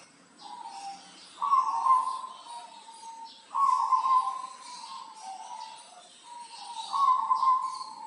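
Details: Local zebra dove from Tulungagung, described as a vigorous singer, kept as a tutor bird for training. Low cooing phrases, each opening with a sharp rising note and trailing off in a steady hum, repeated about every three seconds over faint background hiss.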